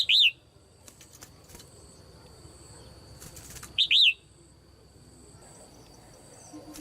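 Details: Caged female red-whiskered bulbul calling to encourage other birds to sing; two single arched whistled notes almost four seconds apart, with quiet background in between.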